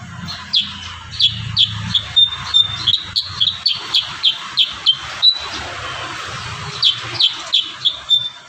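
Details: Kurincang singing energetically as a master recording for training other birds: a long run of short, sharp chirps near the same high pitch, repeated about every third of a second, with low rumbling background noise early on.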